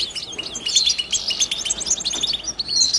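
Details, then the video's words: European goldfinch giving batbata twittering song without pauses: dense, rapid liquid chirps and trills, high and bright, with short buzzy notes and metallic tinkles running continuously through the clip. "بتبته حسون لا صمت"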